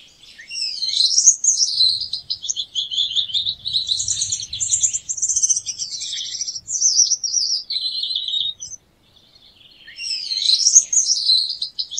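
A Gouldian finch sings a very high, thin, wheezy song of buzzy trills and hissing notes. It runs for about eight seconds, pauses briefly, then starts again.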